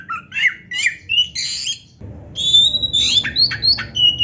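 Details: Lively oriental magpie-robin song meant to provoke other birds of its kind into singing: harsh squawky notes mixed with bright, rising and falling whistles, over a hiss of background noise.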